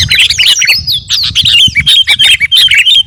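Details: Kutilang garuda, a sooty-headed bulbul, in full training song for caged birds: dense chattering notes mixed with long slurred whistles that rise and fall, then a quick run of short bright chirps about three per second.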